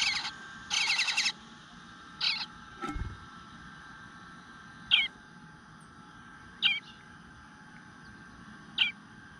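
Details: Eastern bluebird nestling in its nest on 25 June 2022 at 9:10 am, whining for food while going unfed for a while: a few harsh buzzy bursts early on, then sparse short high chirps, with one low thump.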